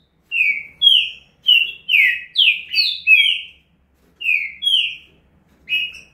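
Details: Green-winged saltator (Saltator similis) singing: loud, rich whistled notes, each slurring downward, in a fast burst of about seven notes, then a pause and a few more.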